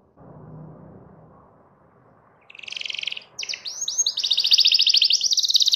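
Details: Canary song calling a rival: faint low background hum at first, then a burst of high buzzy notes and a long, loud, rapid trill of repeated high pulses.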